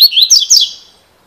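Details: Double-collared seedeater in 'cilada' song style: a brief burst of bright, high slurred notes, three quick sweeping syllables that fade away, with no other sounds.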